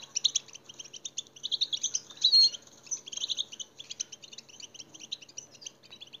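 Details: European goldfinch singing to stimulate captive goldfinches: a long, fast, high twittering run of bright chirps and jingling trills that swells in the middle, with a soft steady hum in the background.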